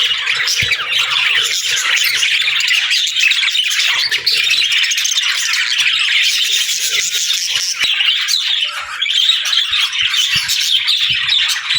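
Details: Flock of budgies chattering: long, unbroken high twittering song with squawks and tweets, briefly dipping in loudness, with faint low taps.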